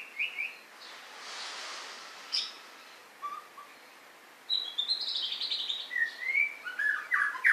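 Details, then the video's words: White-rumped shama with a few scattered whistles at first, then a rapid, continuous run of rich, warbling whistled notes sweeping up and down in pitch. A soft hiss is heard early on. "Murai. Batu"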